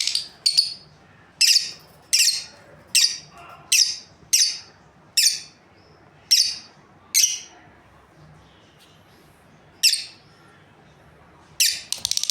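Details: A breeding pair of lovebirds chirping steadily, about a dozen sharp, shrill, high notes at irregular spacing of roughly one per second, with a brief lull before a final flurry.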